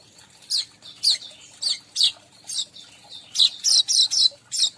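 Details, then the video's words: Weaver calls used as a lure to attract all kinds of weavers: rapid, buzzy, high chattering bursts repeated about twice a second, bunching into a quicker run of harsh notes near the end, over faint background noise. "suara pemanggil semua jenis burung manyar"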